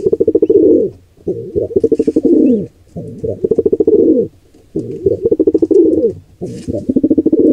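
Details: Wild pigeon intruder pair attacking a nestling squab: deep, buzzy, pulsing coos in drawn-out phrases about a second long, separated by short gaps, with faint high chirps now and then.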